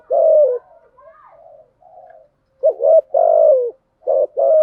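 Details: Lure spotted dove for attracting wild doves: two loud coo phrases, each a short double note followed by a drawn-out descending coo, separated by a soft murmuring pause.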